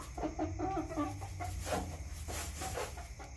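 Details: Chickens kept in a backyard give soft repeated clucks and short tonal murmurs in quick succession, over a low steady rumble.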